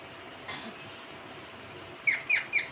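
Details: Parrot kept as a pet, heard in a quiet room after a faint note, then four sharp, scratchy chirps in a rapid series near the end.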